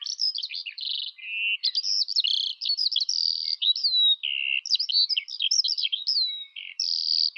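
A Eurasian skylark pours out a continuous, high, rapid warble of chirps, trills and buzzy notes with barely a pause.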